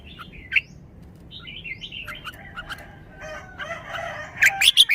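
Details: Red-whiskered bulbul singing in the wild-song style (pleng pa): short whistled and warbled phrases of rising and falling notes with pauses between, ending in a burst of loud, sharp notes. Faint rustling in the background.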